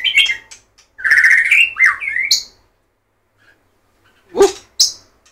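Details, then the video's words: White-rumped shama song: varied whistled phrases with sliding notes, followed by a pause and two brief sharp notes; faint low hum in the background. "shama/murai batu"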